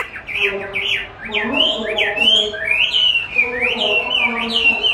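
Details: Chinese hwamei trained with playback of its own voice, which it likes to duel with; clear rising-and-falling whistled phrases in quick succession over a faint lower humming undertone.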